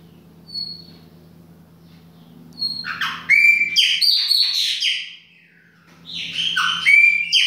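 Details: Chopi blackbird of the baianinho song style singing indoors in a kitchen: after a quiet start, loud bursts of varied whistled and chattering notes, some sliding down, in two phrases, over a steady low electrical hum.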